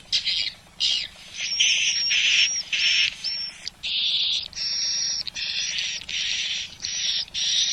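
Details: Swiftlet sound test of an original Malaysian recording for a swiftlet house: long, buzzy, rasping high bursts, each lasting up to a second, separated by short pauses, with a thin whistled tone over some of them.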